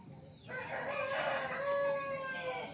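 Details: Serama chicken crowing in the morning, out of its cage and perched on a hand; one drawn-out, strained note that starts suddenly and holds steady for about two seconds over a background of hiss and low noise.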